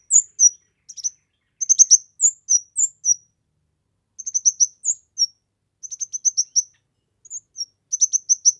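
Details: Kemade bird in persistent song, used for tutoring other birds and as a lure. Repeated bursts of rapid, very high chirps mixed with slurred whistles, with short pauses between the phrases.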